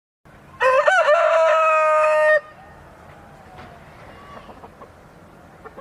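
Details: Rooster crowing once: a loud, rich, harmonic cock-a-doodle-doo lasting nearly two seconds, rising at the start and then held steady, followed by faint background noise and soft distant clucks.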